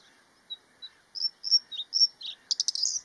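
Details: Bluethroat, a spring returnee to moist, marshy Dutch habitats where males sing to attract females, gives its song: two sparse high ticks, then a quickening run of varied whistled and twangy phrases ending in a buzzy, ringing flourish.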